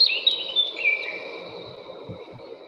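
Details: Eurasian blackcap (Sylvia atricapilla) song: a brief run of clear, fluty, high whistled notes sliding downward, a rapid song as if in a hurry to finish, fading after about a second over a low background hum.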